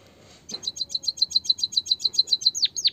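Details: Natural voice of a white-headed munia, known as emprit kaji, used to prompt quiet birds to sing: a rapid even train of about fifteen short high chips, then two sharply descending whistled sweeps, against a faint low hum.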